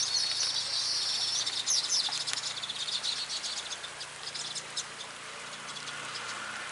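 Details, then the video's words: Weaver calling while guarding its nest. The call is a continuous high, hissing chatter with quick scratchy trills. It is loudest in the first half and then fades to a softer buzz. "Ketika Burung Manyar Menjaga Sarangnya"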